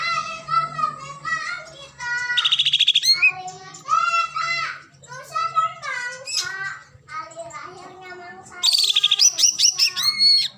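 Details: A small green leafbird, just finished moulting, starting to sing again: continuous varied chattering phrases of harmonic-rich whistles, broken by rapid buzzy trills and high sweeping notes.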